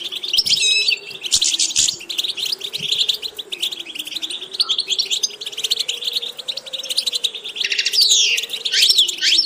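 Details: Goldfinch song for teaching varied repetitions: an unbroken stream of high, rapid chirps and liquid trills, several sweeping slurred notes toward the end, accompanied throughout by a faint wavering low drone.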